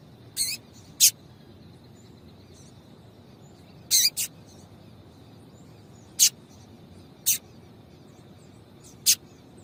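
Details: Female yellow-bellied seedeater, calling to stimulate the male: about eight short, high chips in irregular clusters and singles across nearly ten seconds, against a faint low hum.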